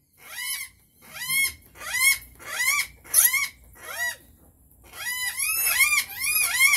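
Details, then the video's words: Rainbow lorikeet giving shrill, rising-and-falling squeals about once a second, then a faster run of overlapping screeches at the end. "Rainbow Lorikeets"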